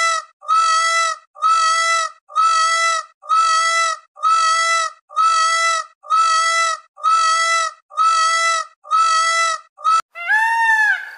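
Indian peafowl giving a steady series of loud, nasal, honking calls, about one a second, ending in a harsher, more strident cry.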